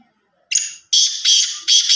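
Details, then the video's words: Kala teetar, the black francolin of Sindh, calling loudly. A brief harsh note is followed by three rough, buzzy bursts, each about half a second, delivered in a tight rhythm. "Teetar ki Awaz| kala Teetar ki Awaz| black farncolin voice"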